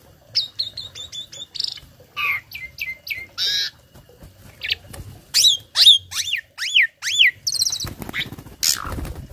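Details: Varied song of a tame starling kept as a tutor bird: a fast train of short chips, then harsh buzzy notes and loud swooping whistles rising and falling, ending in a rough burst, low hum behind.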